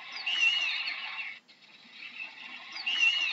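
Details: An owl producing a rough, drawn-out hissing screech, then a softer raspy stretch, before another harsh screech begins near the end.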